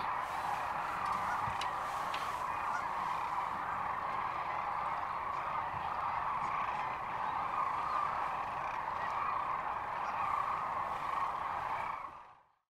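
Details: Sandhill crane chorus near Kearney, Nebraska, on March 13, 2014; a dense rolling roar of overlapping bugling calls runs steadily for about twelve seconds, then fades out abruptly.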